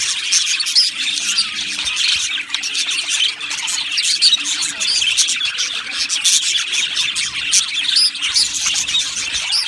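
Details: Australian budgies in a colony aviary, an unbroken mass of high chirps, twitters and squeaks from numerous birds, with a faint low steady hum beneath.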